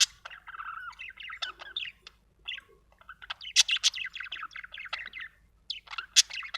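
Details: Budgerigar chirping in a long run of rapid chattering warble, mixing scratchy buzzes, squeaks and short whistled notes, with a brief pause near the middle.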